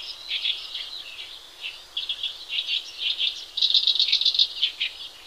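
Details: Softer Horsfield's bush lark song for training other birds: scattered high chirps and short rattling bursts, ending with a clear rapid series of bright repeated notes.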